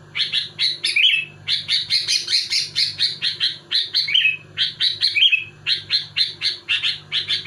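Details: Vigorous sooty-headed bulbul delivering tight bursts meant to unsettle rival bulbuls: fast runs of clipped chirps, nearly continuous, broken by brief bubbling trills, low mechanical hum underneath.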